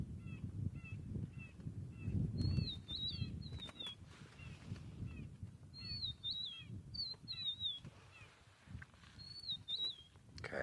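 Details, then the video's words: Rufous-naped lark calling, 30 January 2023: clear whistled phrases that dip and fall, given several times across the recording, among many short faint chirps from other birds, over low rumbling background. "Okay, well, I figured it out. It is the rufous-naped lark that is calling."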